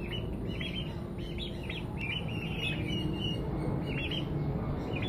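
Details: Two-week-old turkey chicks in their coop, giving thin high peeps in quick overlapping runs, several birds calling at once over a steady low rumbling background noise.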